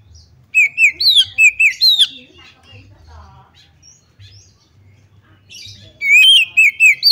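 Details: Female white-rumped shama calling to get other shamas singing: a burst of loud whistled notes, short and sliding, then quiet with faint chatter, then another run of clear repeated whistles.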